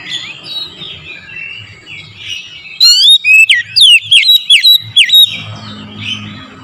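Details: Oriental magpie-robin singing in the morning, used as a lure: quiet background warbles give way to a loud run of crisp whistled notes with fast downward slurs and level tones, lasting about two and a half seconds, then soft chatter again.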